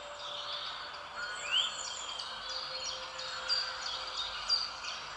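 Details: Wild parakeets in St James's Park, London, give harsh, high screeching chirps in busy, overlapping chatter; the loudest calls stand out about once a second over steady outdoor background noise.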